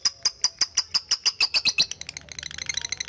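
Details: Lovebird giving ngetik calls meant to call a rival and spur ngekek singing, used as a training recording: a run of sharp, evenly spaced high clicks, about five per second, breaking into faster, softer chattering ticks toward the end.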